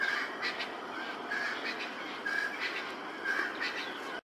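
Natal spurfowl giving a loud, harsh, grating cackle, rough notes repeated about twice a second in a steady run, over a faint hiss of background noise.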